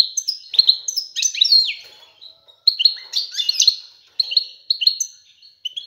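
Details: European goldfinch male's strong continuous courtship song directed at the female to prompt mating and nest building: quick tinkling twitters, buzzy notes and high trills in dense bursts.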